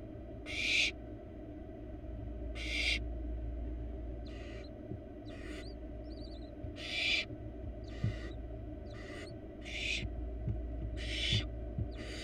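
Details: Wild barn owl nestling in a studied nest box producing a run of about ten raspy, snoring hisses over twelve seconds at uneven intervals, some loud and some softer, with faint low thumps and a steady hum beneath.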